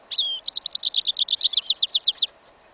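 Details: Hybrid of goldfinch and canary, yellow isabel, heard in a winter field: a loud rising whistle opens a rapid, steady trill of about fifteen crisp repeated high notes, lasting about two seconds.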